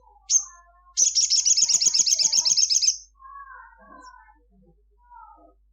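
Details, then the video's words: Sunbird (sogon) singing gacor at midday: one sharp high note, then a rapid, even trill of high chirps for about two seconds, followed by softer lower whistled warbles from another bird. "Kicau sunbird Sogon gacor cruit cruit siang hari"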